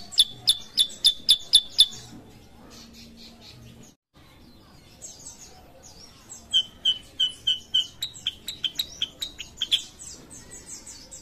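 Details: Kutilang sutra, a sooty-headed bulbul, singing actively: a quick burst of sharp high chips, a quieter stretch with soft scattered notes and a brief break, then another long run of ringing repeated chirps.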